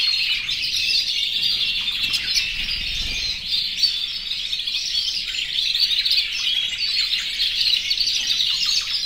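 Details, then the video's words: Canaries in an aviary, more than a hundred, singing in breeding condition to attract females; a constant high-pitched mass of trills and tweets, with faint low thumps from the surroundings underneath. "+100 CANARIOS CANTANDO en mi aviario"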